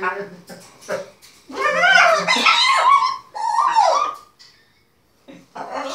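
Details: Excited pet macaws playing with their owners indoors cackle in bursts of short harsh notes, then give a loud wavering wooing cry that slides downward, with a brief silence before more calling.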